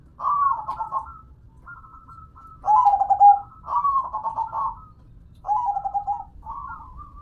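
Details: Local perkutut (zebra dove) in song: overlapping trilled coo phrases, some higher and thinner, others lower and fuller, suggesting more than one voice, over steady low background rumble.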